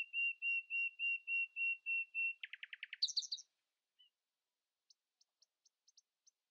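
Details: Common nightingale singing in the early morning, refusing to be outsung: eight steady flat whistles, then a fast buzzy rattle and a high slurred flourish, followed after a pause by soft high clicks.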